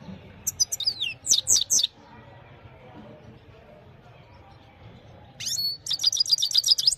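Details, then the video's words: Himalayan goldfinch evening song on a mobile phone recording: a short burst of high twittering and sliding notes, a quiet gap of several seconds, then a second rapid tinkling, trilled phrase. "Gold finch simple singing this is really amazing bird song"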